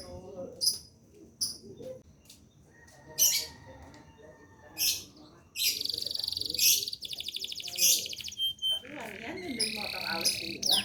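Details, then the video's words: Domestic canary singing as a master song for training other songbirds: bursts of high chirps, then long rapid trilled rolls and buzzy rattles, with short pauses between phrases; faint low murmur underneath. "Kenari gacor ngerol nembak mantap."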